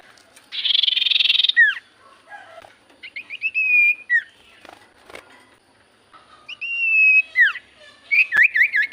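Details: Javan white-eye song as a lure to get other birds singing: harsh buzzy burst, falling slurred whistles, a run of repeated chirps and level whistles, closing with rapid wavering whistled notes.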